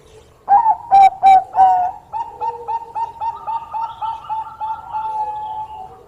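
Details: Zebra dove of the Bangkok type, singing eagerly and said to draw in rivals with its voice. Four loud, clipped coos lead into a long, steady series of softer notes, about three each second.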